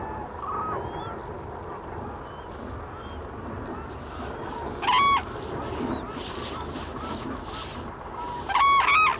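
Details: Wintering Black-necked cranes foraging in Bhutan's Phobjikha Valley give two loud, clear trumpeted calls a few seconds apart over steady background hiss, with fainter distant calls early on.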